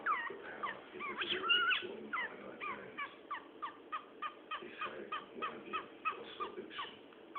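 A cockatiel makes quick, chirpy kissing sounds, repeated in a steady, bouncing rhythm.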